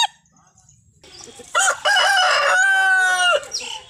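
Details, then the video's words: A desi rooster gives one long crow. It opens with a rough broken burst, then holds a strained harmonic note for almost two seconds before dropping away, after quiet clucking. "मुर्गों की आवाज | Rooster Crowing Sound Compilation | मुर्गा की बांग | Desi Murga ki Avaj"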